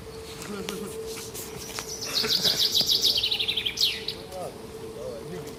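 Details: Small bird singing in the morning: a quick run of about a dozen high, bright notes gradually falling in pitch, then a sharp upward flourish, over a steady low hum and some faint chirps.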